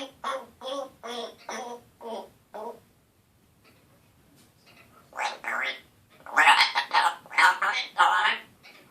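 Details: Young male African grey parrot, one year old in March 2017, attempting words like hello, hi and good boy in a scratchy voice; a string of evenly spaced rasping syllables, a pause, then louder grating speech-like phrases.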